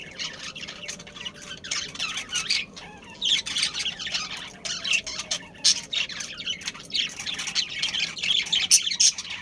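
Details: Budgerigars, a breeding pair with their family, keep up an almost continuous high chattering of overlapping chirps and warbles. Several birds call at once and loudness rises and falls throughout, over faint background noise.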